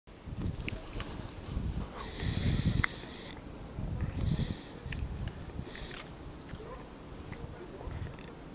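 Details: Great tit singing on 14 February 2021, a few short, high, two-note see-saw phrases that step downward, over a steady low rumble of wind or distant traffic.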